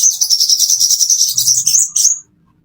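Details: Plain-throated sunbird, kept as a caged bird, used as a master song for training: a fast, dense run of high buzzy trills and chattering notes, ending in two short rising whistles, then near silence.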